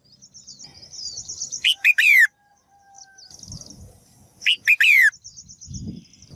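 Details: A female bird calls to stir males into lively singing. Two bursts of sharp chips lead into strong, harsh downslurred notes, about three seconds apart, over faint high twittering and low background rumbling.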